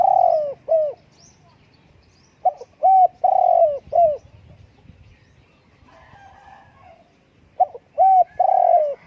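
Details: Cooing of a spotted dove, with three repeated phrases. Each runs from soft stuttered notes into a clear coo, a long burry coo and a falling final note. A faint low murmur sits between the phrases.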